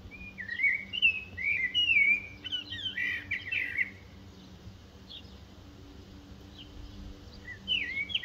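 A Eurasian blackbird sings a rich, fluty warbled phrase lasting about four seconds, then pauses before starting another; a faint low hum sits underneath.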